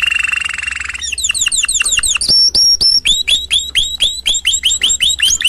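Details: Canary song starting with a buzzy rolling trill, then rapid downslurred whistles and a run of evenly spaced upswept whistled notes, about four each second.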